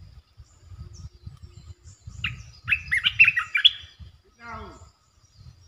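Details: Territory-holding red-eyed bulbul gives a lively chattering phrase of quick liquid notes, followed by a separate descending sweep-like sound, with low rumble underneath.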